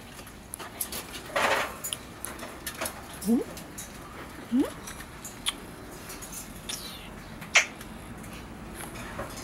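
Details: Male red-shouldered macaw, nearly six months old, kept at a pet shop, imitating a kiss sound: short broadband smacking bursts with a few brief rising squeaks, spaced irregularly in a quiet indoor room.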